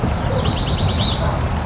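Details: A Bewick's wren calls from dense foliage near an oak tree at Natividad Creek Park, Salinas, California, on 1 March 2026. It gives a quick, high trill of about six rising notes over a low rumble, and the Merlin app identifies it.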